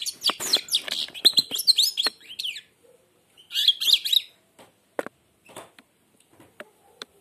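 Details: European goldfinch, blind, singing with an almost closed beak: a dense tinkling, twittering phrase, then a shorter burst of chattering notes, followed by scattered faint clicks and quiet pauses.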